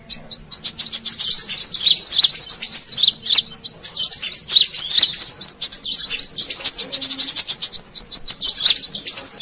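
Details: Lure recording of Brown-throated sunbird from Indonesia, used to attract wild birds: a dense, nearly continuous stream of thin, high twitters and squeaky zigzag notes.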